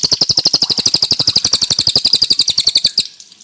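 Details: Cililin delivering a clear, fast run of evenly spaced high ringing notes, roughly eight per second, for three seconds before stopping abruptly.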